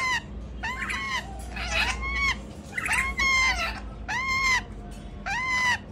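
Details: ['Male rainbow lorikeet: rasping, arched screeches with rich overtones, repeated about once a second, some calls overlapping, with constant low hum and rumble beneath.']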